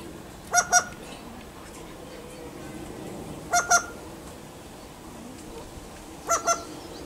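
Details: Wild bird approaching a person for food; a clear, nasal, honking double note sounds three times, roughly every three seconds, over a soft outdoor background hiss.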